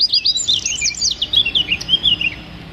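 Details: A brief burst of wren song in the rapid 'tembakan' style used to train songbirds. It is a quick tumbling warble of high, twisting notes that gradually drops slightly in pitch before ending.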